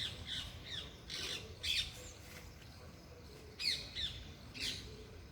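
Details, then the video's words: Wild-sounding parrots giving loud natural calls: scattered harsh, buzzy squawks at irregular intervals over a quiet outdoor background. "loud parrots chirping/Natural parrot sounds/parrot calling sounds"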